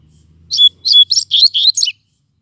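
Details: Double-collared Seedeater singing heavily while resting in the shade on a hot day, on its last outing before moulting; a quick phrase of five bright, whistled, slightly buzzy notes in under two seconds, then silence.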